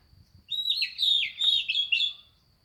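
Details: Oriental magpie-robin, a champion male singing freely, delivers one continuous two-second phrase of rapid, sweet whistles and slurred twitters, varied in pitch, over a quiet low hum.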